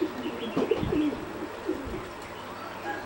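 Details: Competition-bred singing zebra dove, caught preening, gives a short run of soft, low, rounded cooing notes over about a second, then quieter single notes, against a steady hiss of background noise.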